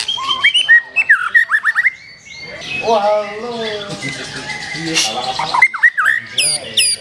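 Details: Black-tailed white-rumped shama in varied, rich song: clear whistled phrases, fluty slurs and chattering notes shifting quickly between high and mid pitches, with a dense stretch of overlapping tones in the middle.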